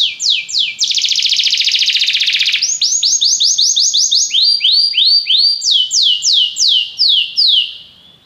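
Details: Belgian canary training other canaries to sing, with a few swept notes, a long loud buzzy roll, then repeated falling whistled notes in changing series.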